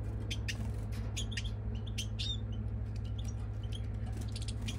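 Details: European goldfinch giving a run of short, high, bright chirps and twittering notes in quick irregular succession, over a steady loud low hum throughout.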